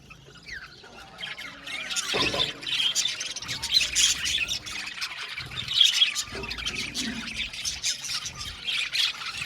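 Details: Blue male budgerigars chirping together: a dense, continuous chatter of high twittering and squeaky notes from many birds at once, swelling and easing in loudness, with a soft low hum beneath.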